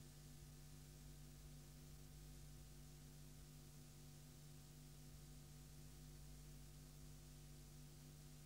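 Only a low steady electrical hum with faint static hiss is heard, with no animal calls.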